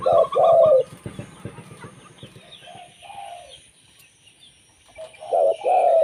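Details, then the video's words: Local zebra dove, recorded to lure others of its kind: a rich double coo opens, then a quieter stretch with soft murmuring coos and faint background noise, before another loud descending coo ends the passage. "MASTERAN suara burung perkutut lokal"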